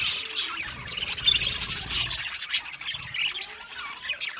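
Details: Australian budgies in an aviary colony singing and chirping: a dense, continuous chatter of overlapping high chirps, squeaks and warbles from many birds, with no clear pauses.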